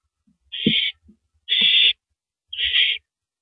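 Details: Live-camera owl, 3:33 AM, April 9, 2012, feeding on a large rabbit: three coarse, steady hissing screeches about a second apart, with a few knocks and tearing sounds between calls.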